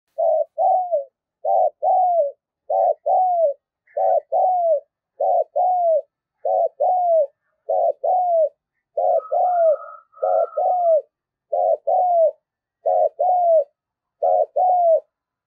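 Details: Spotted dove cooing in the urgent thúc gù style, played as a lure to stir up wild doves: sixteen short, low, arched coo notes repeated about once a second in a steady run, with a faint higher whistle midway.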